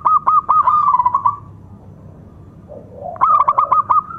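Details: Powerful lure song of a local zebra dove, meant to make other doves emotional and get quiet birds singing: quick staccato notes running into a rolling trilled coo, repeated after a pause, over low steady rumble.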